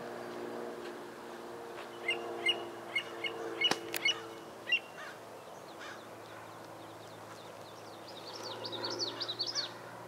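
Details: American avocet chick, recorded in 2011, giving short, sharp high peeps in a loose run, followed by a fainter, quicker burst of higher chips, over a low steady hum.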